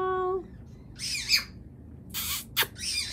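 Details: A pet calico macaw and a scarlet macaw playing together give harsh, raspy squawks in three or four short bursts, after a brief steady whistled tone at the start, while a person talks to them.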